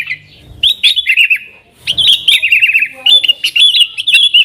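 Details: Lure song of a yellow-vented bulbul in 'nggaruda' style for attracting wild sooty-headed bulbuls: three bursts of sharp chirps and trilled warbles separated by short silences.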